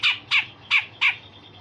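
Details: Grey-cheeked bulbul, a trainer bird for other songbirds, uttering four loud harsh squawk-like notes with downward-falling tails, evenly spaced about a third of a second apart.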